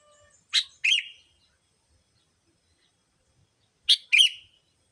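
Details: Sooty-headed bulbul lure sound meant to attract bulbuls: two pairs of harsh, buzzy bursts about three and a half seconds apart, the second note of each longer, with silence between.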